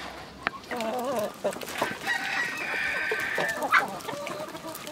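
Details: Village chickens, calm rural ambience: wavering clucking notes early on, then a long sustained crow-like call through the middle, with scattered clicks and background noise.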